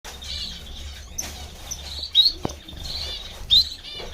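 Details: Diamond firetail giving drawn-out, high, slightly rising calls, about three in four seconds, against a low background hum and a few soft clicks.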